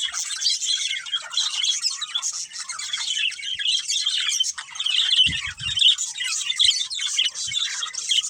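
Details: A breeding pair of budgies keeps up a steady, busy warble of rapid high chirps, buzzy squeaks and twittering notes. Brief low knocks sound about two-thirds through.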